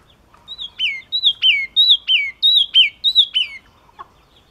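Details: Yellow-cheeked tit singing a run of piercing whistled notes that fall steeply, repeated rapidly for about three seconds, followed by a short quiet spell and a faint low click.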